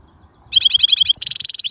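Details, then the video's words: Wild European goldfinch song, recorded for teaching young birds: a fast, even trill of bright buzzy notes, then a short squeak and a second, slightly lower rapid trill of rattling notes. The background is quiet. "من أقوى اغاني | طائر الحسون | البرية"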